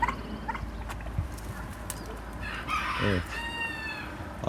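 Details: A rooster on a Muğla farm gives a drawn-out, ringing crow of about a second and a half near the end, over low farmyard murmur and a man's voice; he calls it an ispenç rooster crowing, with rain expected.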